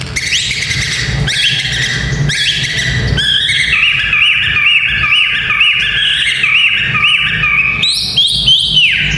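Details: White-rumped shama song played to train the nerve of young fighting males: bursts of rich whistled phrases, then a run of repeated bouncing whistled notes near one pitch, ending with higher sliding whistles; low background rumble throughout.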